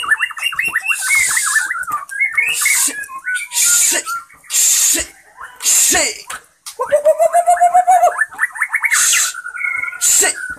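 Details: White-rumped shama song from Indonesia: jerky warbled phrases alternating with repeated loud harsh rasping bursts roughly once a second, then a low whistled trill and higher tumbling notes.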